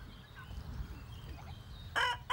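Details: A farmyard rooster crowing in the morning to wake the poultry yard and assert dominance over its territory and hens: a loud, harsh, ringing crow near the end, cut short after a brief opening phrase, over a low rumble.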